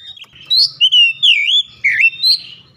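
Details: Oriental magpie-robin lure song, meant to set other magpie-robins singing hard and showing off their mimicked phrases; loud, clear whistled notes sliding up and down in quick separate bursts, with faint low hum beneath.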